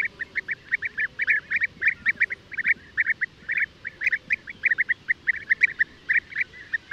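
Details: Loud, dense calling from European bee-eaters, with rapid liquid notes repeated several per second by overlapping birds.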